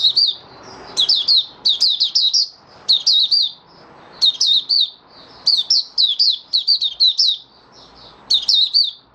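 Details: Singing caged oriental white-eye, five days after its monthly deworming, delivers a long run of bright, high-pitched chattering phrases. Groups of quick slurred notes pour out with only short gaps between them.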